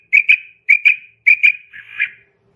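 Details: A female quail gives clear, high whistled notes in quick pairs, three pairs about every half second, ending in a longer, buzzier note; the sound is used in quail hunting.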